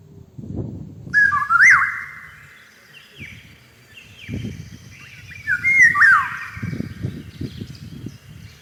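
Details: Eurasian golden oriole singing in spring while cherry trees bloom: two fluting, yodelling whistled phrases with quick up-and-down slides, separated by a pause, over a background of low rustling noise and faint distant birds.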